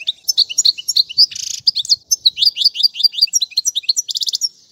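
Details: European goldfinch song meant for tutoring chicks, with styles such as tiwawati, mandolin and casta casta: rapid high twittering notes and liquid trills, with a buzzy burst near 1.3 s and a dense trill near 4.2 s.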